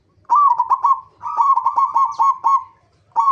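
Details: Local zebra dove lure song meant to get other zebra doves singing: mid-pitched bubbling coo phrases broken into quick stuttering beats, two long phrases followed by the start of a third, with a faint low hum beneath.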